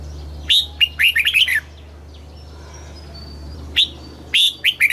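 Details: Red-whiskered bulbul in Thailand, a caged-bird training song in the southern master style meant to rouse birds and teach chicks: loud, clear whistled phrases of quick rising and falling notes, separated by a hushed pause with a thin high whistle, over a low hum.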